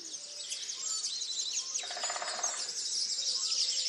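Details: Many birds sing over each other at dawn at Tophill Low nature reserve beside the main hide's picnic table, 30 March 2019. The chorus is thick, high and chattering, with a short buzzy, rattling burst in the middle.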